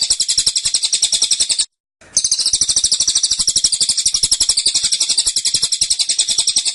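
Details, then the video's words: Dense, persistent burst song from a cililin: a high, fast, buzzy trill, briefly broken after about a second and a half, then running on unbroken. "Tembakan Cililin Suara Rapat Dan Ngotot"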